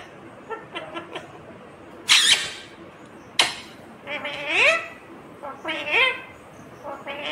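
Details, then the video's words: Indian ringneck parakeet imitating speech, asking for roti and saying "mummy"; sharp clicks and taps come first, then several rising, nasal, word-like syllables in a small room. "Talking Indian Ringneck Parrot Mithu saying mummy Mithu Ko Roti Do"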